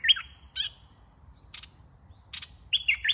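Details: Caged red-whiskered bulbul decoy in a trapping session gives a few bright, clipped whistled phrases at the start and end. Between them come a thin continuous high insect drone and short rasping bursts.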